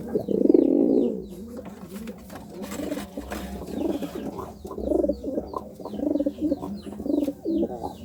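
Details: Courting pigeon giving a loud opening coo, then a run of shorter, softer throaty coos at roughly half-second intervals, with faint high chirps of small birds in the background.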